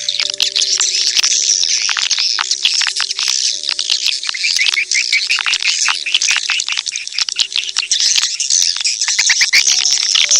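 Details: A swarm of edible-nest swiftlets in a 2023 calling track used to lure birds: unbroken shrill twittering and chirping from many birds, with faint steady low hums running beneath.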